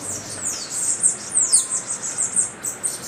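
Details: A Bananaquit in São Paulo, Brazil, on 09/01/23 gives a rapid run of very high, thin, hissing notes with quick downward-sweeping slurs, about three per second, over faint background hum.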